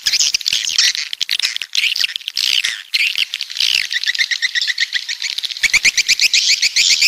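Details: Swiftlets, called walet pantai, from the south: many high, chirping twitters overlap in a busy chorus, ending in a run of quick, evenly repeated buzzy chirps.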